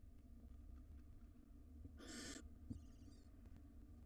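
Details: Wild barn owls in a monitored nest box, where the adult male casts a pellet and returns to rest while a nestling swallows a rodent. One harsh, broadband hiss lasts under half a second, then a brief stuttering high chitter follows over a steady low hum.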